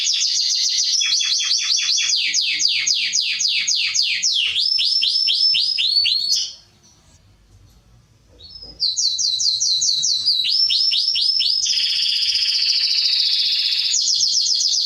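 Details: Serinus canaria song meant for training young birds: long runs of rapid descending chirps and trills, a silent break of about two seconds, then more fast rolling trills and buzzy high phrases.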